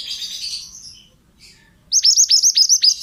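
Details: Male pied bushchat singing as a training recording for other cage birds: soft scratchy twittering, a pause, then a fast loud run of about seven sharp, high, hooked notes that each sweep down steeply.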